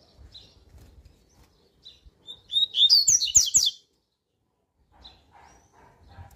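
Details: Coleiro (double-collared seedeater) with a strong, fast tui-tui song: soft isolated notes, then a loud one-second burst of quick high twitters and slurred whistles, followed by quiet chips.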